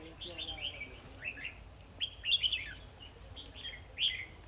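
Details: Caged decoy red-whiskered bulbul in Vietnam sings to fight rivals while trapping: bubbly, slurred whistled phrases in short groups, with a louder burst midway, a faint low human voice at the start.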